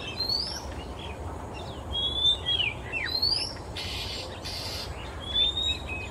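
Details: Male Oriental magpie-robin singing in the quiet of an afternoon in Singapore, flying from perch to perch. Clear, sweet whistled phrases rise and slide upward, mixed with short chirps and two brief harsh screechy bursts near the end.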